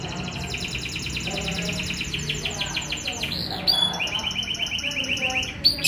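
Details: Young canary singing energetically. Rapid, high trills of repeated notes run through the clip, with a shift to a sharper, brighter rattle toward the end, over steady background noise and faint voices.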